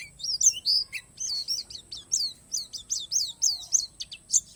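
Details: Palas Borneo white-eye delivering a lively run of very high, hooked chirps, repeated quickly and almost continuously, with a lower buzzy note near the start; song filled with natural phrases.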